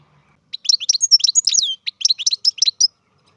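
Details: Captive-bred European goldfinch singing: a lively, high-pitched twittering phrase of quick liquid notes and short trills lasting about two and a half seconds, clean with no other sounds.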